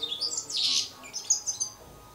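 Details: European goldfinch fledgling giving high chirping calls, a bright burst near the middle followed by several short twittering notes.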